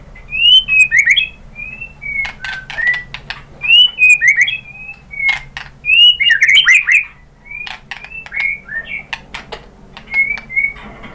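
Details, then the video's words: Lure song of a white-rumped shama, described as a female calling the male: clear whistled notes and quick slurred phrases repeated in bursts about every second, mixed with sharp ticking clicks, faint steady hum behind. "KICAUAN MURAI BATU merangsang BUNYI jadi EMOSI NYAUT GACOR NGEPLONG BONGKAR ISIAN ¦ PANCINGAN MURAI"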